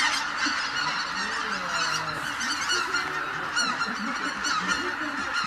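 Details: Greater white-fronted geese departing their roost in a big flock: many high, laughing yelps overlap constantly, while deeper, closer honks rise and fall beneath the chorus.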